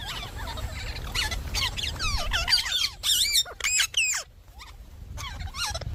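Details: Pet Indian parrot making shrill, scratchy screeches and curling squeals, clustered in the first four seconds and then tailing off, over noticeable low background noise.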